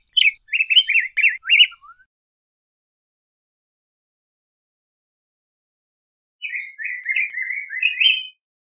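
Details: Pheucticus chrysopeplus song: a quick phrase of sharp, repeated whistled notes ending in a soft falling slur, a long pause, then a smoother rolling warble.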